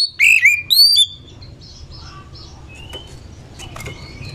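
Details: Duetting exchange between Oriental magpie-robins, played to encourage lazy singers: a quick burst of loud, sweet whistled notes with downward slurs, then softer distant whistles and scattered ticks over a steady low hum.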